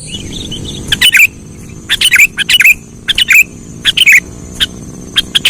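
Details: Sooty-headed bulbul call used as a lure for trapping: short chirpy phrases recur about once a second, each wrapped in sharp clicking crackles, over a continuous high whine.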